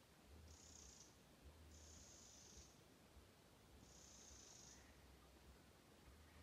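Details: A Eurasian wren alarm-calling frantically in an alder swamp at Stornäset, Alnö, on 29 July 2022, perhaps at a tawny owl roosting by day: three high, dry churring rattles, each about a second long, over a low rumble.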